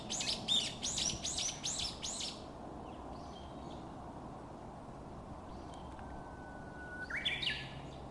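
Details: Japanese bush warbler on Mount Monju on a fine sunny day: another bird's rapid run of high chipping notes comes first, then after a quiet stretch a steady low whistle leaps into a short, higher warbled ending.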